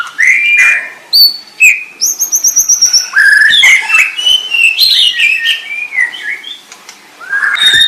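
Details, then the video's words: White-rumped shama singing a long varied sequence: clear whistled notes, a rapid rattling trill, high thin squeaks and rising-falling slurred phrases, ending on a loud whistle. "SUARA MURAI BATU"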